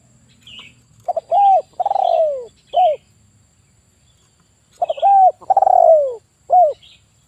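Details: Male spotted dove, 'kuk 1' type, kept as a lure for catching birds, repeats its phrase twice: clipped notes, a quavering drawn-out descending coo, then a short end note. Soft high chirps are heard in the background.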